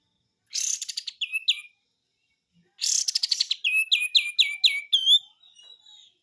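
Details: Singing white-eye, besetan style: buzzy rattled note clusters followed by quick chains of sharp, downslurred whistles, in two bursts with a pause between.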